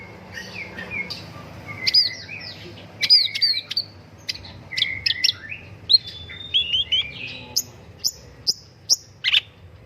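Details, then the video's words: Long-tailed shrike, locally pentet or cendet, singing vigorously in an Indonesian master recording for prompting song: a varied medley of whistles, squawky notes and sharp clicks, ending in a regular series of high chips, with low background hum. "BURUNG PENTET GACOR - MASTERAN BURUNG CENDET - PANCINGAN SUARA PENTET"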